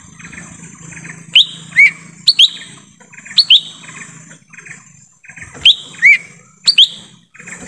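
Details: Forest recording of a lesser green leafbird lure call meant to draw in wild birds: paired upslurred whistles in three spaced clusters, separated by soft buzzy chatter and quiet gaps.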